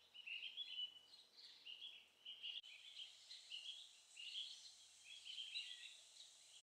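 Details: Orange-bellied leafbirds, a male and a female, feeding on tree cotton nectar in Hong Kong, with a continuous run of bright, chattering, warbled high notes, quick, with a brief break partway, over soft hiss.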